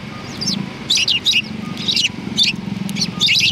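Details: Several sparrows outside a cultural hall on 7 February 2020, greeting arrivals with loud, close, twittering chirps in rapid clusters, over a low humming background.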